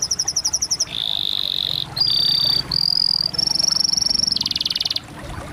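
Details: Canary delivering a chain of rolling tours: quick repeated chirps, then sustained buzzy trills that step upward in pitch, ending in a rapid, coarser rattle; a faint low hum sits underneath.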